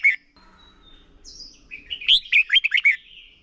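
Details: Red-whiskered bulbul lure bird in contest song, used for voice training. A single sharp note and a faint high whistle lead into a rapid, rolling run of bright warbled notes.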